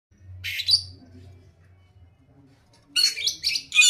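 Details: Orange-headed thrush in vigorous full song: a short bright scratchy burst of high twittering notes, a long pause with a faint low hum, then a dense run of rapid, varied, high chattering phrases.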